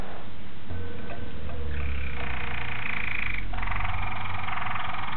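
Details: Young Waterslager canary, Malinois type, from 2009, singing a sustained rolling song: low steady tours shift to a higher, brighter continuous trill midway, then a denser buzzing roll, with a low background hum.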